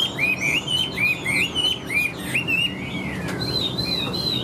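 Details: Big yellow-billed, yellow-legged caged Chinese hwamei singing repeated curling whistled phrases about three per second, ending in a higher, drawn-out whistle.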